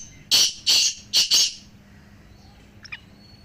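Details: One of three black francolins calling, meant to rouse a pet francolin that has gone quiet. A single tight phrase of four harsh, scratchy notes in quick succession, then quiet with a faint chirp.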